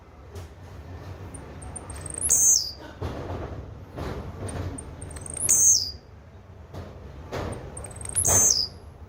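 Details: Blue-black grassquit gives three brief, high, buzzy song bursts roughly every three seconds. Each is led by faint, thin, high notes and drops sharply at the end, with low background rumble throughout.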